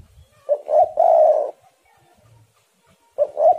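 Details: Spotted doves heating each other up in song: a low phrase of two quick notes and a long rolling coo, then another phrase beginning after a pause, quiet surroundings.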